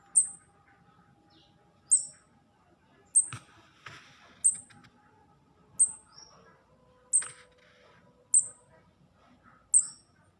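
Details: Young kemade fledgling still being hand-fed, giving sharp, very high, thin chirps with a quick downward flick, repeated about every one and a half seconds, eight calls in ten seconds, over faint handling and rustling noises.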